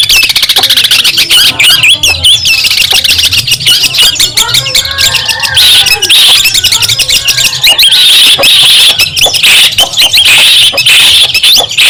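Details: Singing long-tailed shrike from Madura, played to train songbirds and to provoke rivals: harsh squawking chatter and dense buzzy trills, growing shriller and denser in the second half.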